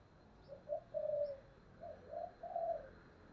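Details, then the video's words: Spotted dove of the 'giọng thổ' voice style, kept for luring: two phrases of low coos, short rising notes leading into a longer steady coo, repeated after about a second, over background hiss. "cu gáy giọng thổ Thúc rất căng"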